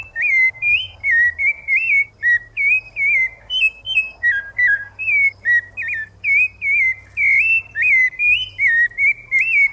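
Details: Loud, continuous song of a rufous-bellied thrush: varied mellow whistled phrases that dip, rise and warble without a break, some notes doubled, with a faint steady low hum.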